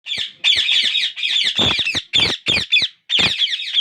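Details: Parakeet chicks, ringnecks kept in captivity, begging hungrily for food while their father feeds each in turn; harsh, buzzy, rasping squawks in rapid bursts, high-pitched and repeated with short pauses.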